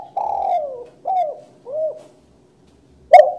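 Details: Spotted dove singing: three soft, low coos, each a short bent note sliding down in pitch and spaced about half a second apart, then a louder coo starting right at the end.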